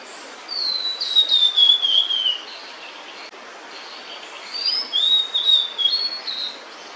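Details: Female blue-and-white flycatcher singing with food in its bill near its nest of chicks: two phrases of high clear whistles gliding downward, a few seconds apart, against a steady background hiss.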